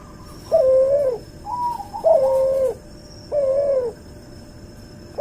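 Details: Cross-bred Barbary dove from white albino and pelung stock, recorded as a tutor track: three low, level coos with softer higher wavering notes between them, over a faint background hiss.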